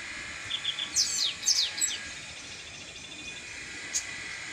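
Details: Chestnut-capped blackbird singing in nature: a few short high chirps and downward-sweeping whistled notes around the first two seconds, then a single brief note near four seconds, over a steady high insect-like hum.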